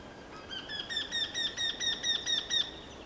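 Eurasian wryneck giving a quick series of about nine nasal, ringing 'kyee' notes, roughly four per second, steady in pitch; faint background hiss.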